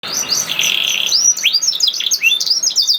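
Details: Canary song played to prompt lazy or silent canaries to sing: a fast, high, continuous warble of sweeping whistled slurs and rapid chirps, with one long sustained buzzy note near the start, loud and unbroken throughout.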